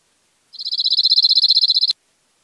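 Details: Cirl bunting (Emberiza cirlus) song in İzmir, Turkey, May 2021: a dry, rapid rattle of about twenty identical high notes on one flat pitch, over in under two seconds.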